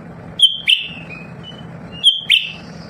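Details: Lesser green leafbird, a home-kept songbird that calls all the time so other birds answer. Two clipped phrases about 1.6 seconds apart each pair a bright high whistle with a harsh falling buzz, over a faint low drone.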